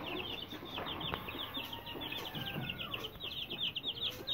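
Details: Aseel chicks, young birds of about 20 days to 2.5 months old, give a dense chorus of high, rapid peeping chirps repeated many times per second, with a faint lower call sweeping down and light background noise.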